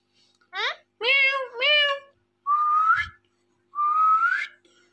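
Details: A pet Indian ringneck (rose-ringed) parakeet in a quiet room gives a quick run of speech-like syllables, then two rising, drawn-out whistles about a second apart.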